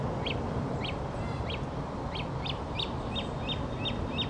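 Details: Great crested grebe chick begging at Smithpool in Fenton: thin, high, sharp peeps repeated every half second or so, over constant loud wind rumble.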